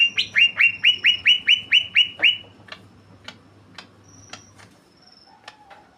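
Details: Greater green leafbird singing busily in a rolling style: a rapid string of nine bright whistled notes, each dipping downward, delivered in just over two seconds, followed by sparse ticking clicks and a thin high whistle.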